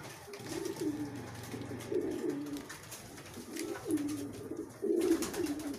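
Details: Several low, gurgling coos from pigeons racing each other to eat, the phrases rising and falling in quick succession, accompanied by dry clicking noises.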